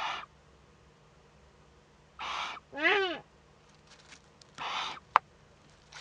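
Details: Eurasian eagle-owl chick in a monitored nest in northern Rhineland-Palatinate, Germany, on 15 May 2013, at first contact with an adult: short rasping hisses, one wavering harmonic call near three seconds, and a sharp click.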